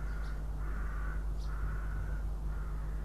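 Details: On a nest webcam in Riga, Latvia, 6 April 2016, a Northern goshawk sitting on its eggs utters four nasal, even-pitched notes, each about half a second long, with faint high chirps and a steady low hum.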